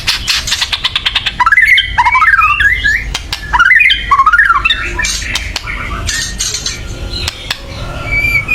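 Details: White-rumped shama giving loud agitated chatter to provoke birds to sing: rapid ticking rattles leading into two bursts of wavering, jumbled whistles, then scattered clicks and a faint whistle.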